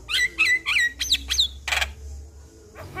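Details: Lure recording of a Javan myna to stir a quiet bird into song. A few buzzy rising notes are followed by a harsh noisy burst, then near silence.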